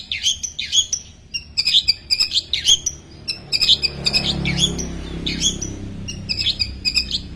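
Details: Long-tailed shrike in full song, said to imitate ten small bird species: quick, varied chirps and short trilled bursts packed in clusters, with a brief lull in the middle and a faint low rumble behind.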